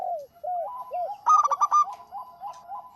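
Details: Local zebra dove singing actively: soft arched cooing notes, then a loud rapid stuttering burst of bright harmonic-rich notes, then quieter cooing again.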